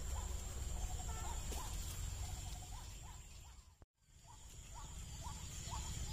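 White-breasted waterhen giving short, hoarse, mid-pitched notes, three or four a second, over steady low rumbling noise, with a brief break partway through.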